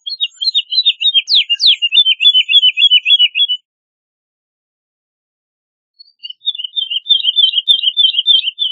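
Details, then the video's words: Woodlark (Lullula arborea) song: two long runs of quick, evenly spaced high notes separated by a pause of about two seconds. The first run is crossed by a sharp downward-sweeping note; the background is quiet. "Woodlark Song! Woodlark Call! Woodlark Chirp! Woodlark Sound- Alondra Totovía Canto- Lullula Arborea"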